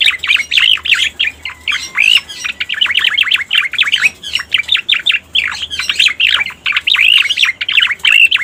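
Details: Lure call of the pied bushchat, known locally as cica koreng: rapid, lively runs of looping whistled chirps, repeated in quick phrases broken by brief gaps, strong and clear over a quiet background.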